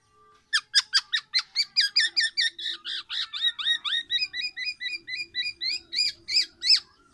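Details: A tame black-naped oriole sings loudly and actively, starting with sharp, evenly spaced clicking notes that merge into a long, steady series of bright upward-curling whistles, several per second.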